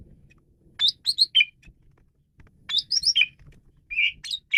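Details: Asian pied starling giving its chattering song on a tutor recording: two tight groups of squeaky, whistled notes, then a drawn-out whistle and sharp short calls, over faint low background rumble.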